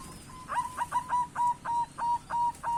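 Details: White barred zebra dove, a perkutut, giving a fast series of about nine short, clear whistled notes, each rising slightly, evenly spaced, over a steady low background hum.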